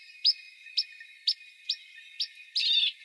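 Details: Western rock nuthatch in İzmir, Türkiye, March 2020: clear upslurred whistled notes repeated about every half second, ending in a longer buzzy, jumbled phrase, over a faint steady background tone.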